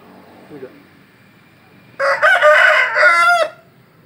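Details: Rooster crowing: one loud, harsh, drawn-out crow of about a second and a half with a rough, broken texture, after two seconds of quiet with a faint brief noise near the start.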